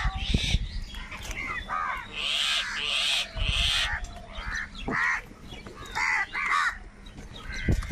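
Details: Several crows squabbling over food give rough, nasal caws in short clustered bursts, some higher and thinner, with low knocks and rustling between calls.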